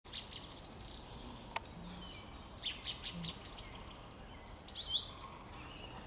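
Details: A song thrush on 26 March 2022 gives bright, varied whistled and chirpy phrases in three bursts, with short pauses between them, over a quiet, steady background hiss.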